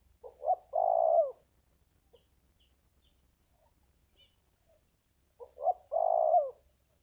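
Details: Wild spotted dove praised for its strong, deep voice, used in Thai ground-decoy calling: two separate low coo phrases, each beginning with quick short notes and ending in a long, rolling, slightly falling coo, with faint high chirps between.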